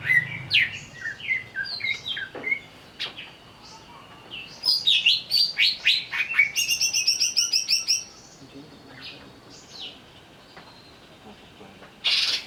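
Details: Greater green leafbird, agitated and provoked into singing: a lively run of varied high whistles and slurred notes, then a dense burst of rapid buzzy trills around the middle, quieter scattered notes, and a sharp final burst.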